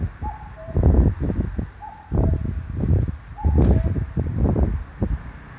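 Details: Common cuckoo in a park in Ageo, Saitama, Japan, with old pine and oak trees, early June 2021: three clear descending two-note "cuck-oo" calls at a steady pace, with strong wind noise buffeting throughout.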